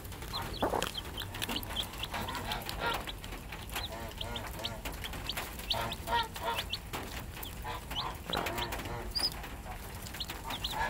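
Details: Mother hen with her 3-day-old chicks: a steady stream of thin high peeps from the chicks, mixed with soft low clucks, continuing without pause throughout.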